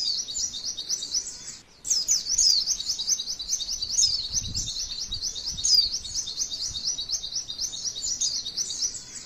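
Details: Masteran song of a female white-eye, a long rolling trill meant to spur other white-eyes to sing; high rapid chattering, a short pause near two seconds, then sustained twittering with sharp whistled accents.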